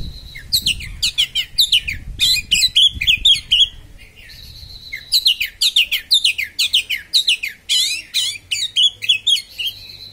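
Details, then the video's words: Oriental magpie-robin delivering a sharp-toned 'konslet' song aimed at provoking other magpie-robins: two long, rapid streams of loud, high twisting whistles and slurred sweeps, about two notes a second, split by a brief pause. "kacer konslet suara tajam"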